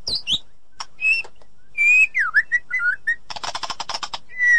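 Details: White-rumped shama song meant to restart a silent bird's singing: high swooping notes, clear whistles and V-shaped slurred phrases, then a fast harsh rattling burst and a final whistle.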